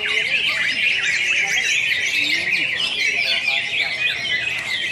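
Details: Greater green leafbirds singing in competition, Pontianak, West Kalimantan, Indonesia, April 2016: a steady stream of sharp chirps, fast trills and slurred whistles from several birds, faint lower voices beneath.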